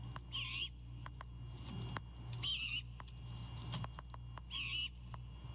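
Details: At night on a Savannah, Georgia nest cam, a Great Horned Owl owlet goes on defense over a bird brought by its father, 26 March 2022: three harsh hissing screeches roughly two seconds apart, with rustling clicks and a low hum.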